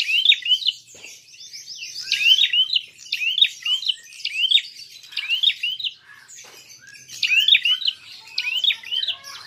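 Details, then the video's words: A prinia's fighting call for luring and provoking other birds: clipped up-and-down chirps repeated steadily about twice a second, over a faint rapid buzzy trill. "Untuk PANCINGAN! Prenjak tarung gacor!!"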